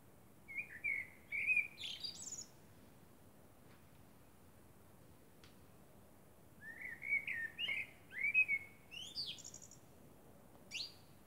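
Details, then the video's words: Common blackbird giving its song at night in moonlight: separate mellow whistled phrases, rich and fluting, tailed by thin high squeaks and twitters, with quiet gaps of several seconds between phrases. "Blackbird sings under the moon"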